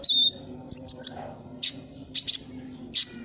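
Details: Sunbird lure sound: a thin high whistled note opens, then short sharp chirps scattered singly and in pairs over a faint low hum.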